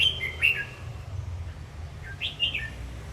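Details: Red-whiskered bulbul song during a dance display: two brief, bright whistled notes sliding downward, separated by a pause of under two seconds, with low hum behind.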